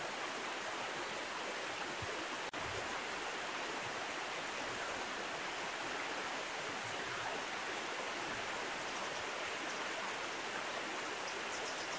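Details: Steady rushing water fills the whole stretch, with a single sharp click partway through and no animal voices.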